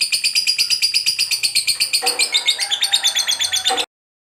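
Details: Lovebird of the fighter type giving its prized long chattering ngekek song, used to prompt other lovebirds to sing: a fast, even train of high buzzy pulses, about nine a second, running nearly four seconds before stopping abruptly.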